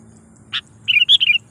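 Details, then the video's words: Sooty-headed bulbul lure call for attracting wild rivals: one short harsh note, then a quick tumbling series of bright, bubbly warbled syllables. "suara burung KUTILANG GACOR garuda dengan suara panggilan kutilang pikat / pikat kutilang"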